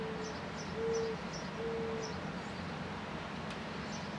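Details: Outdoors as clouds drift by, a Mourning Dove gives low, smooth, mellow coos in a short series. Sparrows add quick, high chirps repeated about every half second over soft background hiss.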